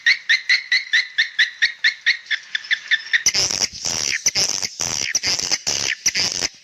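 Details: Swiftlet calling young: evenly spaced short chirps about three per second, followed by harsher, louder clicking and rasping bursts at a higher pitch.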